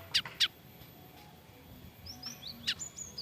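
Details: Cinereous tit, described as frightened, recorded as a training tutor track: two sharp broadband chirps near the start, then a few thin high whistled slurs and a final chirp over faint background hiss.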